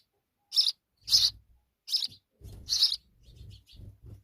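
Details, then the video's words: Sparrow chicks in Pakistan begging as their mother returns quickly with insects: five loud, high, buzzy chirps spaced irregularly, with softer chirps and low rumbling handling noise between them. "Sparrow's Mother are Return very Quickly for Babies to feed them Insects"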